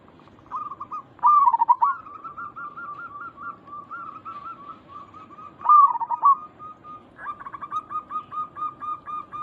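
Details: Local zebra doves, a lure recording meant to draw answers: loud rolling coos twice, between them a long soft chain of wavering notes, then a steady series of short clipped coos.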